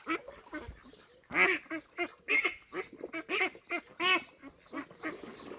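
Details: Duck at a pond in Wales on 23 May 2026, loud harsh nasal quacks in irregular bursts, about one a second, some doubled, with fainter calls between.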